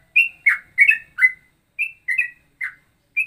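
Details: Straw-headed bulbul-like ropelan: separate clear whistles and warbled double notes spaced by short gaps, the pitch level or dipping, sounding crisp and loud.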